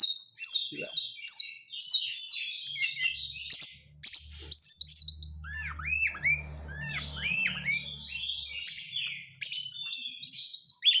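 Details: White-rumped shama used as a lure to set other birds singing, given as dense crecetan: rapid high chirps and whistled notes in quick bursts, then downslurred whistles repeated about every half second, with a low hum beneath.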